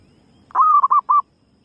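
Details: A single phrase from a calling female zebra dove, used as a lure: a sustained soft coo flowing into three short, clipped coos at the same pitch, in quiet surroundings.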